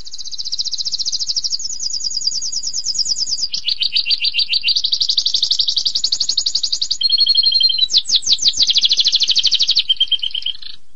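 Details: Canary delivering a long continuous song: successive rapid trills at different pitches, a pure two-toned whistle, a few slurred notes, and more buzzy rolls.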